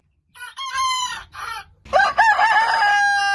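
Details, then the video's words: Roosters at morning: two short, hoarse bursts give way to a loud, quavering crow that wobbles up and down before settling into a long, steady held note. "Morning Hen Sound & Rooster Sound Effect - Cock Dance Suara Ayam Jago Berkokok"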